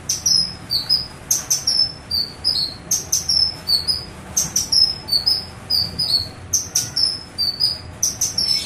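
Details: Cucak kinoi song played as a lure to prompt other birds to sing: high whistled notes that slide downward, delivered in quick clusters of three or four, repeated over and over with short gaps.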